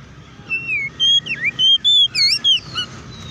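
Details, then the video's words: Oriental magpie-robin singing to provoke rival magpie-robins into song; a string of about seven loud whistled notes, steady ones alternating with swooping bends, set against a noticeable low rumbling background noise. "KACER GACOR NGEPLONG TARUNG KONSLET BUKA PARU❗PALING AMPUH BUAT PANCINGAN KACER AGAR CEPAT EMOSI!"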